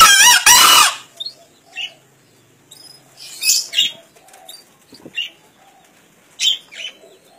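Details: A green junglefowl crows at the start: a forest-caught bird aged one and a half, kept in Kediri and judged in a 2016 crowing competition. The crow is a hoarse, explosive double burst, followed by scattered thin chirps of other birds.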